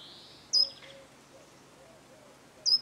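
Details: Short-toed treecreeper calling in the countryside of central France, Nouvelle-Aquitaine, on 13 March 2018: two thin, very high, sharp notes about two seconds apart over a quiet rural background.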